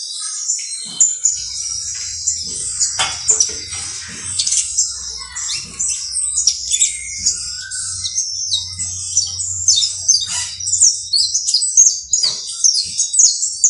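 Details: Saffron finch, known locally as canario basto criollo, singing a dense, unbroken run of high, sharp chirps and twitters, with quick downward-sweeping notes layered closely for the whole stretch; a faint low hum lies underneath.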